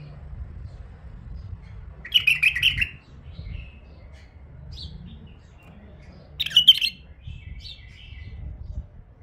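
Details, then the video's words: Female bulbul, a tame bird, gives two brief melodious warbled phrases about four seconds apart, each a fast cluster of clear chirping notes trailing into a short soft tail, with quiet low hum between. "نثيه اليفه تغريد رهيب"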